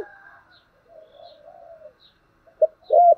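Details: Spotted dove cooing in the 'giọng thổ' voice style while urging and calling: a long stretch of faint, low murmuring, then one short, deep coo followed by a louder, fuller coo at the very end.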